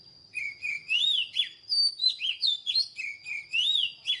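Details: White-rumped shama, a wild-caught bird coaxed to sing, repeats clear swooping whistles with some buzzier notes, each about a third of a second apart, over a steady high background tone.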